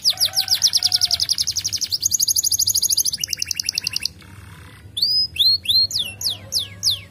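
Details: Singing canary used to encourage other birds to sing: fast buzzy trills for four seconds, a short pause with a soft noisy rattle, then separate clear whistled notes sliding down and up.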